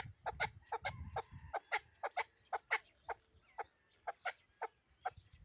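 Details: Chukar partridge of Pamir stock in Dushanbe, calling with sharp, evenly spaced clucks that slow toward the end, over faint low background noise.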